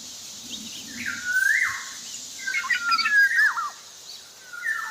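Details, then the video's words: Javan black-naped oriole singing vigorously, a rising whistled slur followed by a burst of jumbled, twisting notes and another upward whistle, over a faint hiss. "Suara burung kepodang jawa sedang gacor"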